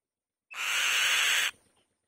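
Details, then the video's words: White-tailed kite crying on its nest: a single harsh, raspy, hissing scream lasting about one second, with an abrupt start and end and silence around it. "Bird Crying On The Nest | White-Tailed Kite"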